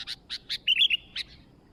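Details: Sooty-headed bulbul in lively song: a few short separate chirps, then a quick liquid warbled phrase, then one more chirp, loud and clear over a quiet background.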